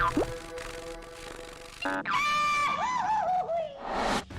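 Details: Music with sliding, wavering tones and short bursts of noise plays throughout, and no animal call stands out.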